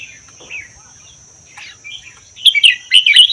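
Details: Red-whiskered bulbul from the Vietnam–Laos forests, kept one year, delivering 'double' song: faint scattered chirps build into a loud run of quick, jumpy whistled warbles, over a continuous high-pitched hum.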